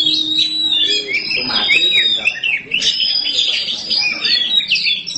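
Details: Oriental magpie-robin, black form, in full song: a steady stream of bright, high whistles and quick warbled notes with little pause, and faint human talk in the background.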